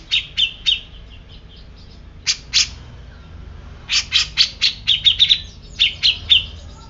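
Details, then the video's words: Grey-cheeked bulbul with rough squawking notes in short clusters separated by pauses, ending in a fast, uneven sequence of sharp chips with thin whistled edges. "Cucak Jenggot Bisu Langsung Emosi"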